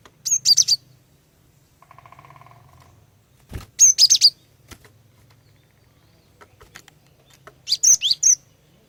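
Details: Female cinereous tit singing to draw males into song: three bursts of rapid, high, sharp whistles, some sweeping downward, repeated every three to four seconds, with a brief buzzy drone and a low knock between.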